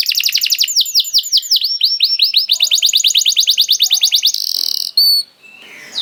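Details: Canary song used as bait to start other canaries singing: a long, fast series of repeated downslurred notes speeding into a rattling trill, then a buzzy burst and fading.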